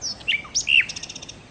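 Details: Nightingale, locally called sikatan londo, in lively gacor song used to lure birds: loud high slurred whistles, a falling note, a strong rising-then-falling whistle, then a quick run of even pulsed ticks.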